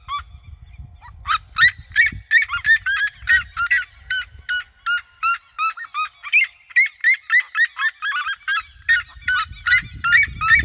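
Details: Flock of red-legged seriemas calling together in regional fields around the recordist: chorus of piercing yelps about three per second, starting after a brief quieter moment, low wind noise at the edges.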